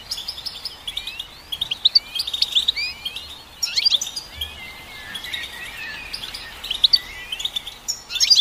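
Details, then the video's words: Goldfinch warbling a jumble of rising and falling slurred notes and quick chirps, steady and continuous, set against a faint hiss of background noise. "Goldfinch Song"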